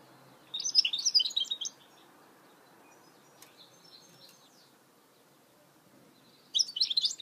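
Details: Two short bursts of dense, high twittering song from a goldfinch hybrid (mule), separated by several seconds of near silence with a faint click.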